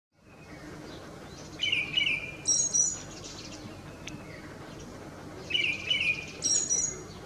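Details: Male Tickell's thrush in Ladakh singing in display to a female: two short phrases about four seconds apart, each a warbled twitter rising into a high, clear whistled flourish, over a soft rural background hiss.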